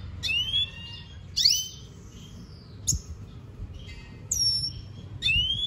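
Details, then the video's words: Red siskin uttering spaced single phrases: rising whistled slurs and brief sharp notes roughly once a second, separated by quiet gaps. "Pintassilgo da venezuela cantando muito"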